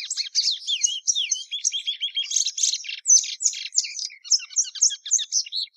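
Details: Continuous lively song from a plumbeous seedeater, a fast mix of twittering chirps, downslurred whistles and buzzy trills with hardly a break.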